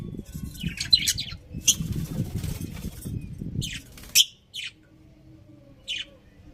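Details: Budgerigars giving scattered short, sharp chirps, some quickly doubled, over low rumbling noise that stops partway, leaving a few isolated chirps in quiet.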